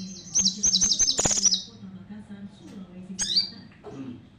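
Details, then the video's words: Javan cochoa in vigorous song: a quick string of high, sharp chirps for over a second, then a pause and a few separate thin, downslurred whistles. A low hum runs throughout. "Sogon Nembak Full Bremm"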